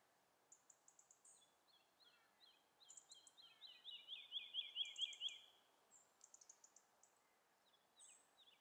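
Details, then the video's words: Woodlark singing a series of sweet, liquid notes that quickens and swells into a fluty rolling trill. At about second 2 a Eurasian skylark's chirruping migration flight call is also heard. "Zingende Boomleeuwerik"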